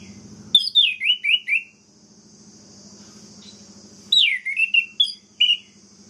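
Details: Orange-headed thrush song meant to enrage other birds of its kind: two phrases of quick, downward-stepping whistled notes, the second ending in separated chirpy notes, with a low hum running throughout.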